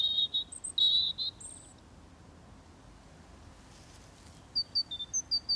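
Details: A European robin in a Paris-area park sings thin, high warbling phrases, then a quick run of short sharp notes, an upset reply to playback of an intruding robin's song on its territory, against quiet hiss.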